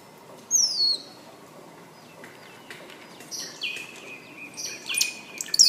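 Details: Scrub Blackbird, Dives warszewiczi, described as a common bird in southwest Ecuador. A sharp, high descending whistle sounds early, followed by buzzy, drawn-out high notes toward the end, over a steady outdoor background hiss.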